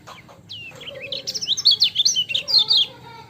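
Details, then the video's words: Lively lemon-bellied white-eye song: a long upslurred whistle opens into a tumbling string of sharp, high twitters, with a faint lower note in the background. "MASTERAN KECIAL KUNING CIAK JOSS GACOR"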